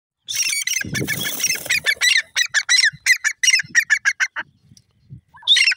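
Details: Grey francolin (teetar) calling: a rapid series of harsh, loud, squawking notes repeated several times a second, then a brief pause and a final burst, after a short low rumbling noise near the start.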